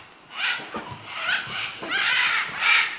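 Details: Macaws in Manu, Peru give a run of harsh, raspy squawks, four or five in three seconds, loud and grating with a hoarse, noisy tone.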